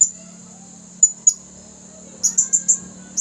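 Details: Male blue-crowned hanging parrot with red throat, a lure bird calling wild ones, 27 August 2021. Scattered single thin, high 'tsi' notes, then a rapid run of four sharp chirps, over an unbroken high-pitched droning whine.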